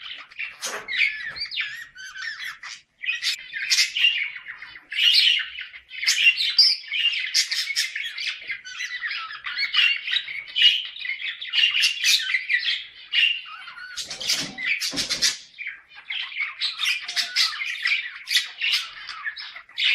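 Budgerigars warbling and chattering nonstop, a busy flock chorus played to encourage pairs to breed.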